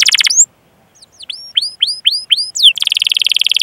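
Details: Canary song to train other canaries: a short rapid trill, a pause, a series of spaced curved whistles, then a fast buzzy repeated trill.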